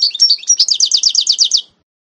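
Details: High, rapid song of a 2018 canary-goldfinch mule: a few short chirps followed by an even trill of about ten slurred notes, ending abruptly into silence.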